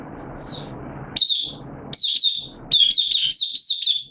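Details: Captive oriental white-eye, a hobby songbird, singing on 8 September 2022 while slightly off form: after a low hum, single thin high notes give way to a quick run of warbled, up-and-down chirps that grows louder toward the end.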